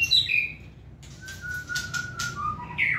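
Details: Caged white-rumped shama held in the hand gives bright high whistles, then a long low whistled note broken by sharp clicks, closing on a rising slur.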